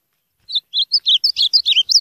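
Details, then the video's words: Ultramarine grosbeak song: after a short silence, a quick run of bright whistled notes that starts simply and grows more jumbled and twittering toward the end, with no other clear sounds. "Azulão diferente"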